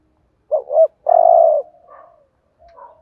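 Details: Single thúc gù phrase from a decoy spotted dove provoking rival males: two short hooked notes, then a drawn-out low coo trailing into faint softer murmurs.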